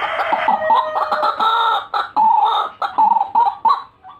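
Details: White-breasted waterhen call for luring birds: dense, grating, nasal calling, then separate clipped croaks about every third of a second.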